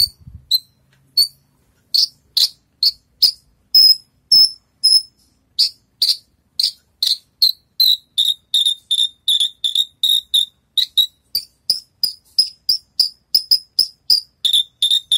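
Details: A Horsfield's bush lark that has just finished moulting, in song training, gives a long run of short, sharp, high chipping notes, about two or three a second, steady and evenly spaced with little variation.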